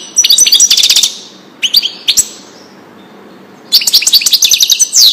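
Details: European goldfinch song in the Wedani style, used to teach young birds: a fast twittering phrase, a few isolated sharp chips after a pause, then another bright, tinkling burst.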